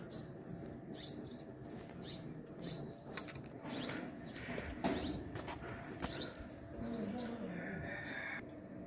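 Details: Busy high chirping and ticking from sunbirds attending young at a hanging nest, the notes run together over steady broadband background noise.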